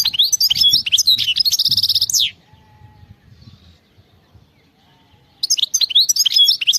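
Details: European goldfinch in the wild, delivering a fast liquid twitter of high chirps that ends in a dense buzzy trill, falls silent for about three seconds, then resumes its tinkling phrases.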